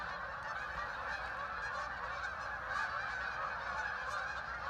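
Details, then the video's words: Thousands of ducks flying and settling onto the Hockanum River in Vernon, Connecticut, making a strange loud noise: a steady, crowded babble of nasal honking calls that swells slightly toward the middle. "thousands of ducks arrived making a strange noise"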